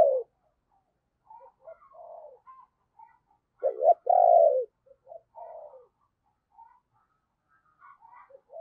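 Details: Spotted dove used as a decoy for wild birds, known for a thunder-like bầu voice: scattered soft notes lead into one strong, falling, husky coo, followed by quieter short notes and faint higher twitters.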